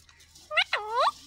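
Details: Talking parrot producing two short, speech-like voiced syllables: a brief clipped note, then a longer one that dips and rises in pitch, each rich in bright overtones, with faint background hum.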